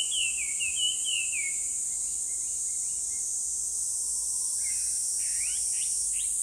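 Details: Chinese hwamei, commonly heard loudly in parks, gives a quick run of slurred, down-sliding whistles, then a few rising upward-swept notes, over a steady high insect drone.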